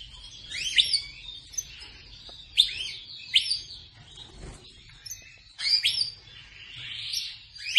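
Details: Captive-bred Persian Rasmi canary singing loud whistled swoops and sweeping buzzy phrases at irregular intervals, with softer chirps between them and a low background hum.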